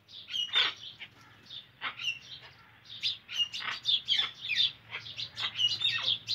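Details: Indian ringneck parakeet giving sharp, high chirping calls in quick irregular bursts, several notes clustered together with short pauses between them.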